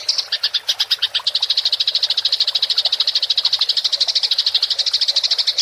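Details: Fighting house sparrow in rolling chatter (ngerol) for training songbirds: a long, steady stream of sharp, high chirps repeated nearly three times per second, unbroken throughout.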